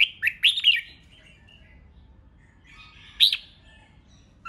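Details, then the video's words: Red-whiskered bulbul singing a competitive 'ché' song meant to provoke rival birds: short bright warbled phrases near the start, a pause, then another sharp rising phrase, over a low steady background hum. "Kích Chào Mào Hót Ché/ Kích chào mào hót đấu hay nhất,bổi nghe là hót theo,khiến bổi ức chế căng lửa"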